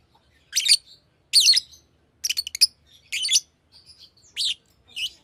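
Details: Fischer's lovebird chattering in shrill, buzzy high chirps, some single and some in quick stuttered clusters, about seven bursts over five seconds with brief softer notes between.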